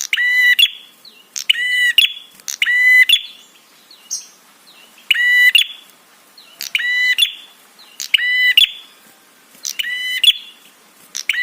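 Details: Red-headed prinia call used as a lure to provoke replies and excite other birds: about eight rasping, buzzy half-second bursts at roughly one-and-a-half-second intervals, with faint thin chirps between them.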